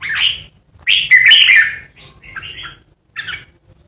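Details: Decoy red-whiskered bulbul giving its ché song: short bright warbled phrases, one long harsh chattering burst in the middle, then a brief buzzy phrase and a final sharp note after pauses.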